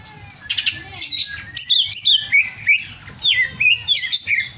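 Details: Agitated greater green leafbird singing a busy run of loud whistled phrases, with quick descending slurs and bright chirps in bursts, over a faint low background hum.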